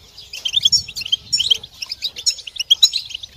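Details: European goldfinches in chorus, group singing used to prompt goldfinches to sing during moult; bright, jingling high chirps and trills overlapping steadily in quick clusters throughout.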